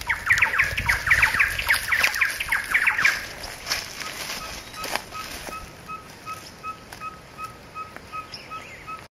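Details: Singing Ferruginous pygmy-owl of subspecies ucayalae at Pouso Alegre, Pantanal, Brazil, on 23 September 2013: a steady series of short, evenly spaced mellow toots, about two per second, following loud chattering calls of other birds at the start.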